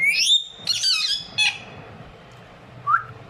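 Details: Talking pet ringneck parrot, one of a pair kept indoors in an Urdu/Hindi-speaking home. A rising squawk opens into a quick burst of buzzy, speech-like chatter, then a short whistled note near the end.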